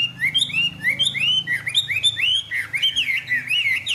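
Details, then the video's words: Caged Chinese hwamei singing: a run of loud, clear whistled phrases, rising and falling slurs repeated in quick succession, growing richer and more varied toward the end, with faint low hum beneath. "Họa mi xòe, Thuần đẹp mau mỏ hót hay"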